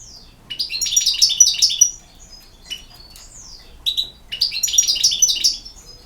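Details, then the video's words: European goldfinch singing in Bosnia and Herzegovina, two dense phrases of fast, high, liquid twittering and tinkling notes separated by a quieter gap with a few short downslurred calls. "El Jilguero"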